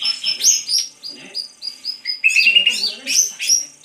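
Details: Greater green leafbird singing: bright, quick whistled and chirping notes, some slurred upward or downward, in short varied bursts with brief gaps, a rapid run of repeated notes near the middle.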